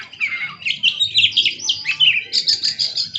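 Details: Persistently singing oriental magpie-robin, also dancing, pours out a rapid stream of high whistles, chips and short trills, the notes packed closely with barely any gap.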